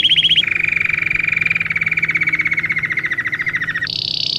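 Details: Belgian canary song for teaching canaries to sing: a brief high trill, then a long lower rapid rolling trill, ending in a buzzy higher phrase.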